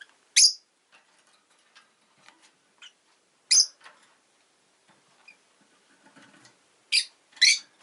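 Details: Pet rosy-faced lovebirds, two newly joined the household, give four loud, harsh chirps spaced about three seconds apart, the last two close together, with soft scratchy rustling between them.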